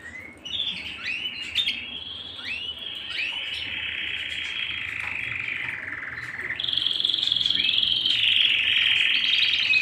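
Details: Canary singing at home: long sustained rolling trills, a lower steady roll that shifts after about six seconds into a louder, higher buzzing trill held to the end.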